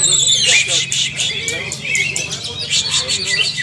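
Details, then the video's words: Caged greater green leafbirds training together in a 'ngalas nembak' style: dense, sharp, high whistled notes and rapid chirps with down-slurred phrases, several birds overlapping, a low steady hum beneath. "Latihan Bersama Burung Cucak Ijo Part 2 Ngalas nembak rajin"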